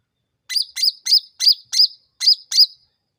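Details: Sooty-headed bulbul sound meant to lure and provoke other birds into responding quickly. Seven quick, bright chirps in a steady run, each with a short bent twist, about three per second, with no other sounds.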